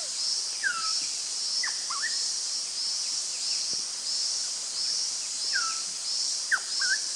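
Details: A Rusty-naped Pitta at Doi Inthanon, Chiang Mai, Thailand, gives short, clear whistles, some slurring downward, in pairs every few seconds over a loud, steady, pulsing hiss of insects.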